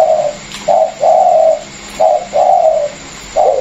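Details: Caged Vietnamese spotted doves, one a used calling decoy and one a newly caught wild bird, with one cooing: low, hollow, even coo notes in a repeated rhythm, two longer notes after each short one, with steady background hiss.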